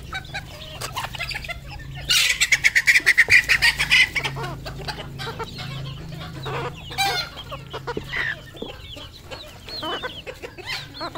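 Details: Captive decoy red junglefowl calling: a loud burst of rapid harsh pulsed notes lasting about two seconds, then scattered short clucks and chirps from other fowl, over a steady low electrical hum.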